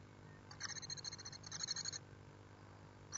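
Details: Great tit at the nest, picked up by a nest webcam: rapid, high, thin chattering notes in two bursts over about one and a half seconds, then a brief third burst, over a low steady electrical hum.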